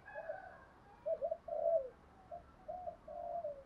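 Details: Spotted dove cooing quietly in the 'thúc gù' style: a few soft, low murmured coos with one slightly stronger falling note, ending in a sudden louder sound.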